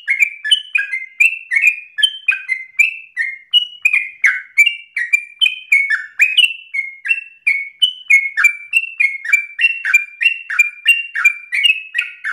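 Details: Energetic sooty-headed bulbul in full song, delivering an unbroken 'ropel' stream of short whistled slurs that alternate between higher and lower notes, fast and somewhat irregular, with no other sounds.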